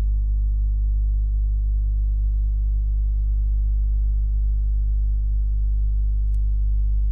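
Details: Constant low electrical hum with steady tones, one brief click, and no calling.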